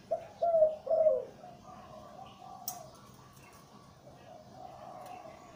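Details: ['Zebra dove breeding male, deep Liw Tan voice, opens with a loud three-note bubbling coo phrase followed by softer trailing coos and a single sharp click.']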